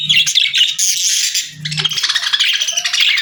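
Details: Budgies giving a cheerful, continuous high warbling chatter with rapid chirps, briefly interrupted by a low humming sound.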